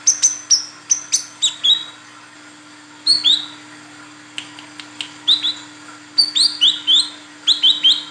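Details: A female Brown-throated Sunbird gives sharp, high chirps and quick downslurred notes in bursts of two to four, calling for a male and used as a lure for males; a faint steady hum runs underneath.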